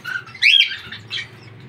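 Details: Pet Indian ringneck parrot kept indoors, near someone repeating a word to it: one loud, harsh, rising squawk with a strong bright tone, then a softer trailing chirp, over a quiet room.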